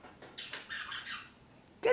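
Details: Captive pet African grey parrot, female, indoors during a talkative morning: a series of harsh, raspy squawks and chatter bursts over about two seconds, ending in a sharp louder squawk, with a quiet room background.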